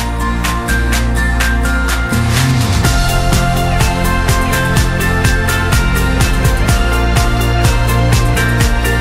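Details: Loud electronic music with a steady drumbeat plays throughout, and no animal sounds can be picked out.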